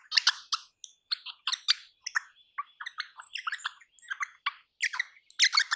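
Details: Crimson rosella from eastern Australian forests and gardens, a rapid sequence of short, bright, squeaky chirps and chatters, with a faint steady high tone in the background.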